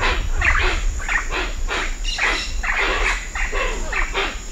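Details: Hoatzin calling at Cocha Cashu in Manu, harsh wheezing bursts in a quick irregular series, other birds chipping between them, constant high cicada buzz behind.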